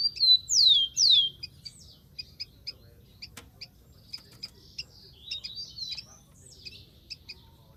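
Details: Rufous-collared sparrow singing in the wild: two loud, clear whistles slurring steeply downward open the phrase, followed by scattered high thin chips and short notes from the surroundings.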